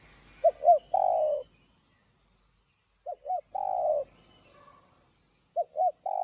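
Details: Spotted dove with a 'giọng đồng' voice, cooing to excite and lure other doves. Soft phrases of two quick short coos and then a longer descending coo repeat about every 2.5 seconds, with quiet pauses between.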